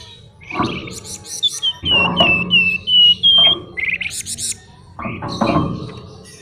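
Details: Flamboyan songbird in full voice: a string of pure whistled slurred notes, then a rising buzzy trill and harsh rattling phrases, over a low droning hum.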